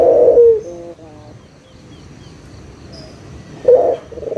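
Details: Local puter dove calling as a lure to get silent doves to coo again: a short low coo with wavering after-notes, a long quiet gap, then the next coo beginning.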